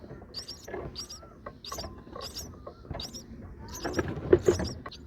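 Brahminy starling giving a run of short, harsh high chirps about every second, with thin rising whistles between them over a low, busy background rumble.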